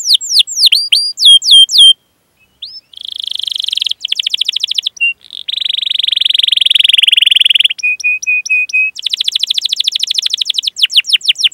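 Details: Canary song used as a lure to train young canaries to sing, with cuit-cuit calls and rolls: quick falling whistled sweeps, then dense buzzy trills, a run of short level notes, and rapid chattering tours.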